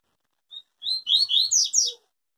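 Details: Yellow-bellied seedeater, a pure tui-tui song type, singing: a short high note, then a quick string of sweet whistled and slurred phrases rising and falling, about one and a half seconds long.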